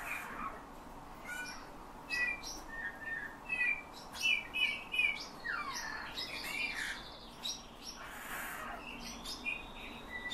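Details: Caged bullfinch schooled in singing by its keeper, mimicking his whistle and nightingale and thrush phrases; a series of short bright twittered notes clusters in bursts, with a soft falling slur midway.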